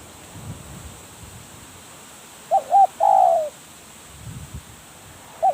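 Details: Decoy spotted dove used in dove trapping, cooing once: two brief hoots followed by a drawn-out coo with a falling tail, then silence before another short hoot begins.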